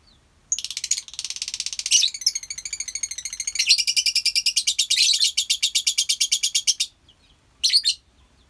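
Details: A colony of lovebirds gives shrill, buzzy, rapidly pulsed chattering that runs almost unbroken for about six seconds, changes texture partway through, then stops before one short final burst of harsh chatter.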